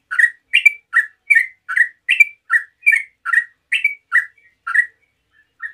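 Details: A yellow-vented bulbul singing casually and steadily, used to draw replies from other bulbuls: about a dozen crisp, slurred chirps in a regular rhythm near two per second, then a pause and a last soft note.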